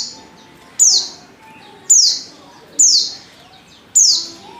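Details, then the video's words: Lure call of a female Oriental white-eye, used to provoke males into song: four loud, thin notes, each dropping quickly in pitch, spaced about one second apart against quiet background noise. "pancingan pleci betina paling ampuh,bikin pleci jantan ngalas"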